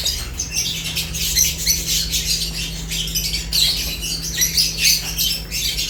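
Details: Lovebirds at their food, a busy flock chorus of shrill squawks and thin chirps overlapping without pause, over a faint constant hum.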